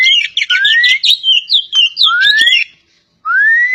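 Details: Oriental magpie-robin of the poci type from Java singing: bursts of fast varied chattering notes broken by long clear whistles sliding upward, a short pause, then another rising whistle.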